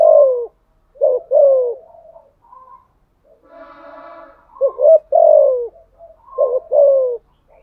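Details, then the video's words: Decoy spotted dove cooing continuously, low hoarse coos in short bursts, each ending in a drawn falling note, with a brief buzzy background sound in the middle and short pauses. "chim cu mồi thúc gù liên tục"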